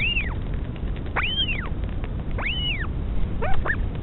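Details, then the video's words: At a nest in the northern royal albatross colony near Dunedin, New Zealand, a mother feeds her chick while high whistles arc up and down three times, ending in clipped stacked notes, with steady low noise beneath. "Mum feeding chick (with sound)"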